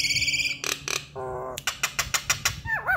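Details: Nias hill myna song, a fast varied mix of high nasal tones, harsh bursts, a buzzy steady note, rapid sharp clicks about three per second, then a looping whistled phrase.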